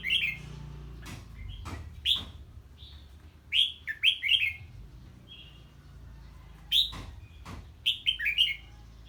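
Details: A red-whiskered bulbul reacts to an unfamiliar bird with ché-style singing. Clusters of quick, clear, down-slurred whistled notes come every couple of seconds, separated by quiet gaps, with a faint low hum underneath.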